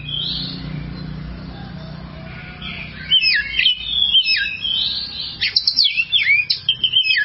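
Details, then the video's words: Kacer, the oriental magpie-robin, training song for songbirds: a quiet start, then loud rapid whistled phrases with zigzag slurs and quick repeated notes toward the end. "masteran burung Kacer durasi panjang"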